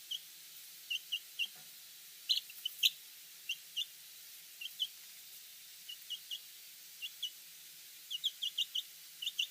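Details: Chicks chirping: short, high, thin peeps scattered irregularly, sometimes in quick pairs or small bursts, over a steady background hiss.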